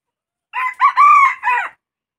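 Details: Crow of a junglefowl, locally called ayam hutan: one rough, four-syllable call of about a second, with a clipped first note, a short second note, a drawn-out middle note and a dropping end, with no other sound around it.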